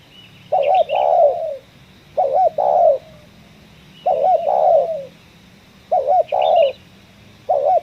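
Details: Spotted dove calling in the ngeruk style, kuk 1, recorded while being lured in a coffee field. Mellow coo phrases repeat about every two seconds, each a hooked note and then a drawn-out falling coo, with faint twittering behind.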